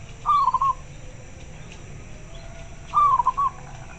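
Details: Local zebra dove responding to another bird: two short, fairly quiet phrases, each a descending gliding coo broken into a few quick pulses, spaced about three seconds apart over low hum.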